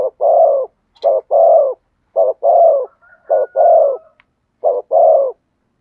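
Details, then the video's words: Spotted dove coo phrases in the thổ sấm style: a short note then a longer throaty coo, about five times. A faint thin whistle-like tone drifts in the background midway. "cu gáy thúc gù giọng THỔ SẤM chuẩn nhất/ the cuckoo sings beautifully"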